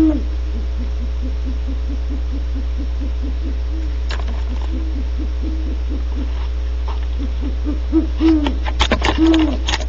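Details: Great horned owls at Audubon Starr Ranch, California, hooting at dawn on 1 January 2013 as a female barn owl comes back to her nest cavity: a long run of low, evenly spaced hoots, ending in rustling noises.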